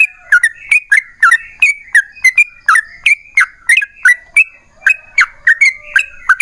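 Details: Lively song of a yellow-vented bulbul, a long rapid phrase series used to provoke answering song. Quick gurgling whistles, often paired, repeat about three times a second, with one soft low tone underneath.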